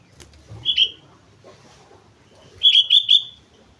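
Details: From Mount Slamet, a sooty-headed bulbul in full voice: one short two-part fluty note, a quiet stretch, then a bright run of three or four bubbling whistles.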